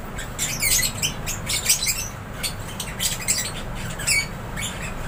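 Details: Lovebirds chirping in an aviary: clusters of quick, shrill, sweeping chirps arriving in bursts about every half second to second, over soft low background noise.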